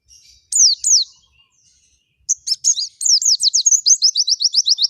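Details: Forest-style white-eye song: two sharp high notes, a silent gap, then twittering that runs into a rapid, accelerating series of thin descending chirps.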